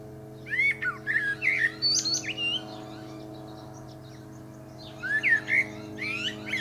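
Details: A Common Blackbird sings in a pear tree, giving two lively phrases of fluty, tumbling whistles with sharp high squeaks. The phrases are about three seconds apart, over layered steady humming.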